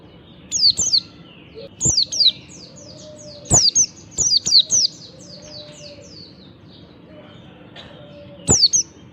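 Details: Morning ngalas song of an Oriental white-eye, played to trigger other white-eyes into singing: clusters of very high, thin, downslurred whistles in rapid runs, pausing between bursts, over a low background hum.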